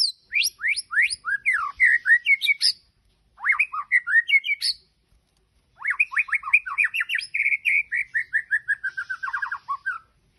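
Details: Energetic white-rumped shama song from Majalengka, a continuous run of quick, varied whistled phrases with rapid rising and falling notes and trilled series, broken by two short pauses, loud and clear with no other sounds.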